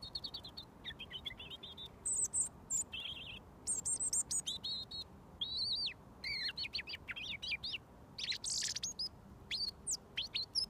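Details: ['Robin singing close up, about a foot away, a bird fed daily for over a year that sings until given mealworms; high, thin warbled phrases, each short and varied, separated by brief pauses, with quiet background.']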